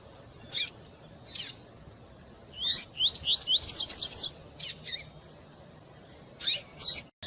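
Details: Fast tui-tui song of a Double-collared seedeater with female calls to warm up a male. Isolated shrill chips come first. Then a brisk series of rising slurred whistles runs about two seconds, followed by more high chips and a steady faint hiss.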